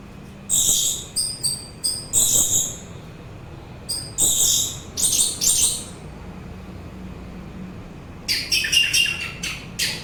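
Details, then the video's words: Song of an orange-headed thrush, used for relaxation and as a lure: bursts of very high, clipped notes in rapid clusters, separated by short pauses, ending in a dense chattering run. "Begitu Syahdu Suara Anis Merah"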